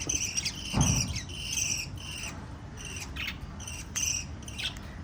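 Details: Five lovebirds, a parrot family, give shrill, scratchy chirps in quick, uneven bursts over a low background rumble.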